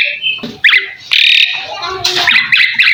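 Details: Asian pied starling master song meant to get other birds singing: harsh buzzy notes, a loud rasping blast and quick trilled chirps repeated in a short burst.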